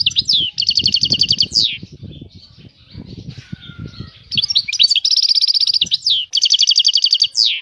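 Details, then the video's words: Near-continuous European goldfinch song: repeated fast trills alternate with downslurred chirps and tinkling notes, over low rumbling background noise. "طائر الحسون. اجمل الطيور المغردة Goldfinch. The most beautiful songbirds"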